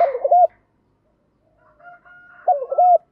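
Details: Decoy spotted dove calling to attract birds: fragments of low cooing notes at the start and end, with faint higher tones in between.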